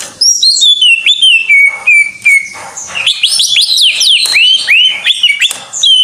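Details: Greater green leafbird in loud 'gacor' song: a long level whistle after descending notes, then bouncy, looping whistled phrases and quick chirps delivered almost without a break.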